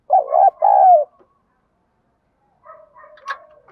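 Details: Spotted dove in the 'giọng đồng' and 'thổ bầu' call style, used to provoke fighting and lure wild doves: a loud two-part throaty coo, then a pause and softer quavering notes with a brief higher note.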